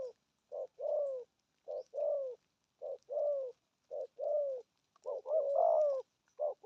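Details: Spotted dove cooing in 'thổ âm' style, short low notes followed by a longer falling coo, phrases repeating about every second and a half, with a fuller overlapping coo near the end.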